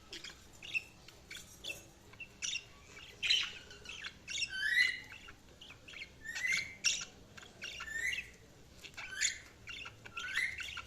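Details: Budgies warbling with repeated short rising whistles and scratchy chirps at an even pace, at a moderate level over light hiss.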